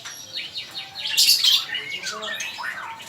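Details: Male magpie-robin song used for training other birds: a quick mix of high sweeping whistles, rising and falling slurs, and a loud harsh burst in the middle, indoors.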